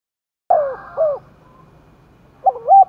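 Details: Spotted dove stirred to contest cooing in Đồng Nai: two falling hooted notes follow each other, a faint quiet stretch, then the start of another looping phrase cut off at the end.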